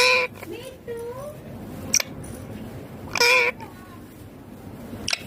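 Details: An Indian ringneck (rose-ringed parakeet) sitting in a neem tree gives two loud, harsh, grating squawks about three seconds apart, with softer, speech-like warbling phrases between them.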